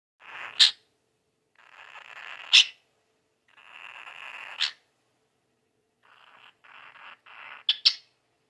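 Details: Pet cockatiel in a household with no dog gives harsh, hissing growls ending in sharp yelps, a mimicked puppy-like bark it began doing a while ago.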